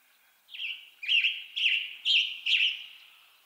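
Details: Western tanager song from western North America: five short, hoarse, burry phrases delivered about twice a second, each slurring up and down, in a clean recording with no other sounds.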